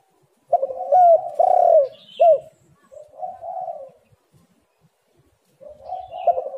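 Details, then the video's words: Spotted dove, played as a lure to get lazy birds calling: loud hooked coo notes followed by softer drawn-out cooing, then a pause and another soft phrase. "tekukur super gacor Suara HAS pancingan untuk burung yang malas bunyi"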